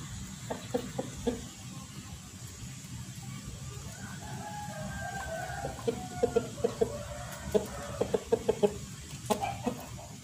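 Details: Chickens, a rooster and hens, on a farm. Short clucks come in quick repeated runs, with a fainter drawn call in the middle of the recording. A constant low hum sits in the background.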